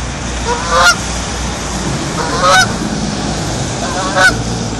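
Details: Geese giving very loud, nasal honks: three harsh calls spaced roughly every one and a half to two seconds over a steady broadband background rush.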